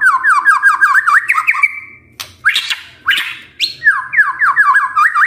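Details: Magpie-robin singing energetically as a lure: rapid series of looping whistled notes, broken by raspy bursts, then resuming the quick looping whistles.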